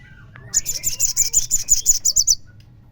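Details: Crimson sunbird lure song for prompting other sunbirds to sing. An even, rapid string of about twelve high, piercing notes, each sharp and slightly buzzy, follows a soft lead-in chirp.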